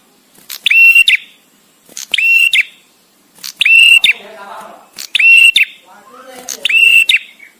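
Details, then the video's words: Male bar-winged prinia, a visiting bird, singing with pauses suited to master training: five loud buzzy whistled notes, each flat then hooking upward, repeated roughly every one and a half seconds, with soft chatter between some notes. "suara prenjak tamu JANTAN!!! dengan jeda cocok untuk masteran"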